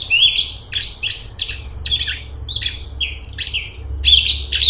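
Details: Straw-headed bulbul (cungkok) singing nonstop in a dense, rapid style: crowded high chirps and short buzzy slurred whistles following one another with almost no gaps.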